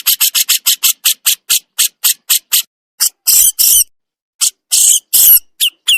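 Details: Javan crested jay in full besetan with pauses: a quick series of dry harsh chips, followed after gaps by longer hissing screeches and a couple of short whistled upslurs.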